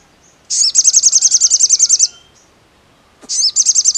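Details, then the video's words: Crimson sunbird delivers a fast, high-pitched trill of about fifteen quick repeated notes over one and a half seconds. A gap follows, then another trill begins. "SUARA SOGON"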